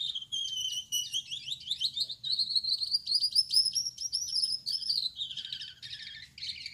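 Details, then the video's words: A male Gouldian finch, with a yellow back, red head and white chest, sings at night. It gives a fast, very high, thin, buzzy run of whirring notes ending in lower hissing, rasping phrases over a faint low hum. "Suara Burung Gould Amadin Gacor || Gouldian Finch Singing Gacor"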